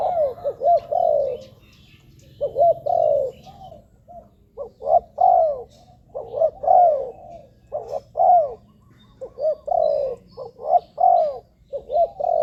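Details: Spotted dove calls meant for luring wild doves, a long run of soft, low, hollow coos. Short notes lead into longer downslurred phrases, repeated about every two seconds with brief gaps.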